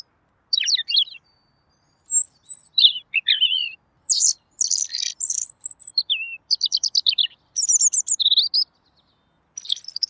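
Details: Pekin robin tutoring recording, described as clear-voiced: a busy string of high, varied phrases, with fast chirped trills, sharp whistled slurs and rapid stuttering notes, broken by short pauses. No other sounds.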